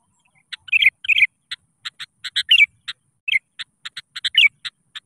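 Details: Sooty-headed bulbul singing actively and calling to rivals, used as a lure to get reluctant bulbuls to sing: bright, bubbly phrases of rich whistled notes mixed with short clicks, repeated in quick bursts.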